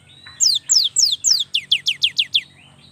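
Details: Ten crisp, very high notes from a young cinereous tit, each a quick downward slide, rattled off evenly within two seconds.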